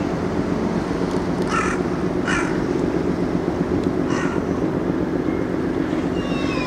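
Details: Carrion crow playing with a walnut gives three harsh, hoarse caws spaced about a second apart against a steady roar of wind or surf-like background noise.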